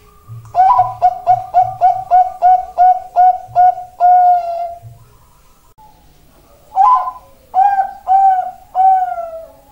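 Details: Champion Bangkok-type zebra dove used as a training recording: a run of about a dozen short, rhythmic low coos with a soft low thump beneath, then a pause and three longer, drawn-out rolling coos.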